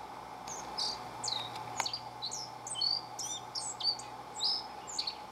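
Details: A single black-faced bunting, perched on a stump beside a house on 28 March 2019 and singing repeatedly for about ten minutes, gives a quick, jumbled run of high, sharp chirps and slurred notes over a faint steady drone.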